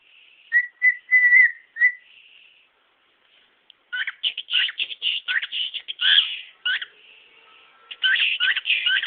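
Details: A male cockatiel kept as a pet shows off his repertoire, opening with a few clear whistled notes, then switching to a dense run of buzzy chirps and warbles.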